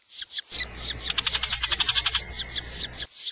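A loggerhead shrike gives a quick run of high, squeaky chirps and short scratchy notes, repeated several times a second, over a faint low hum.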